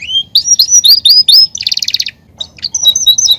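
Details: Belgian canary song meant to warm up other canaries, opening with repeated rising whistled slurs, then a dense rapid buzzing trill and a series of clear high whistled notes.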